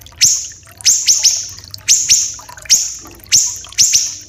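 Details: Training recording of a common iora, harsh and dense in voice: piercing high notes falling away, given singly or in quick doubles and triples at uneven intervals, low steady hum beneath.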